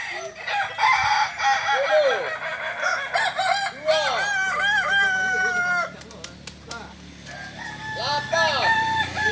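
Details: Kokok Balenggek roosters at a practice meet in Ampang Kualo, Kota Solok, West Sumatra, producing long terraced crows of looping arched notes, a brief quieter gap, then another rising crow.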